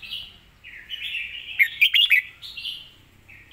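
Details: Caged red-whiskered bulbul with clear, quick, well-phrased singing; continuous mellow whistled warbling broken by five quick bright chirps in the middle.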